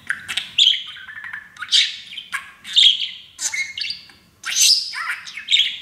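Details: Pet male parakeet, happy and standing on his new playground, chatters in quick, squeaky, warbling bursts about every second, practising taught phrases like "baby bird" and "Auzzie's a baby bird" in a high, scratchy voice.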